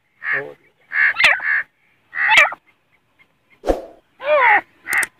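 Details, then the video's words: Captive grey francolin (teetar), a male walking ahead with a female behind, Pakistan: a series of loud, grating notes with bending, warbling tones, grouped in short bursts about one second apart, one sharp click-like burst mid-series. "Teetar ki boli | teetar voice | Gray francolin | teetar ki awaz"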